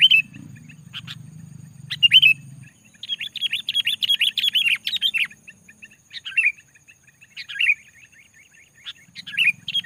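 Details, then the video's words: Sooty-headed bulbul, kept as a lure bird, giving loud rapid song to provoke rival bulbuls: dense runs of bright, slurred whistled notes in quick bursts, with a low rumbling background hum early and late. "SUARA BURUNG KUTILANG GACOR SUARA RAPATBIKIN KUTILANG LAIN IKUT GACOR"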